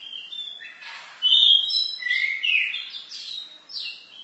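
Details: Varied masteran song of an orange-headed thrush: a bright, continuous warble of high whistled notes, with steady slurred phrases and quick twitters following one another without pause.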